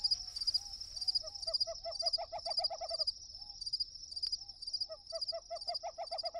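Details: A dove, said to be a mourning dove, in the Saguaro Wilderness of the Sonoran Desert on a hot day gives low, soft hooting coos in quick runs under a steady high insect buzz, with other birds chirping.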